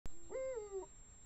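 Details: Eurasian eagle-owl pair, female and male, calling at night at 1:01 am on 16 March 2017; a single tonal, slightly hoarse note that holds level, then slides downward and fades after about half a second, with a sharp click just before it.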